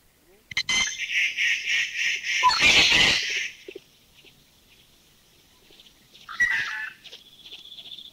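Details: Grey treepie giving a fast run of harsh, grating chatters for about three seconds, then, after a pause, a shorter falling call and a thin high note; the bird is also heard flying overhead; recorded in a Thai national park.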